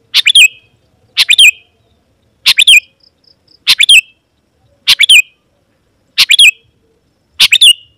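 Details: Sooty-headed bulbul calling rivals of its own kind: seven short bubbly phrases, each a quick chirp cluster ending in a twisting note, spaced about a second apart, with a faint thin whistle between.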